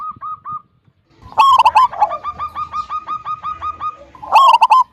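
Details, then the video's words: Zebra dove of local wild stock giving a big-voiced 'kung' song that lures other doves into singing. Loud rolling coo bursts alternate with a long, fast, evenly spaced train of short clipped notes. "Perkutut lokal gacor suara besar - SUARA KUNG"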